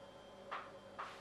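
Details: A jackdaw at Hope Cove on 6 July 2022 gives two short, sharp 'tchak' calls about half a second apart over a faint steady background hum.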